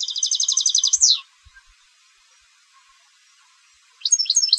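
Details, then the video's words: European goldfinch bred for song contests: a quick, even high trill closing with a falling slur, a silent gap, then fresh twittering notes starting up. "Jilgueros de Concurso - Canto del Jilguero"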